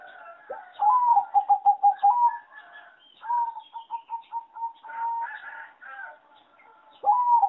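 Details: Singing zebra dove bred on a farm for competition, its melody rated among the worst; two bouts of quick, evenly spaced purring coo notes, with a long held coo between and other doves softly calling around.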